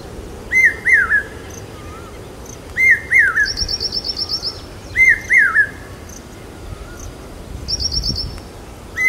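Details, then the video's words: Common hawk-cuckoo, or pawsha, calling loud in monsoon in Aurangabad, believed to announce rain. Three strident three-note phrases about 2.5 seconds apart, while another bird adds fast, high, thin trills between them. "पपीहे की मधुर आवाज Common Hawk Cuckoo Calling Loud During Mansoon पावशा पक्षी Signaling Rain"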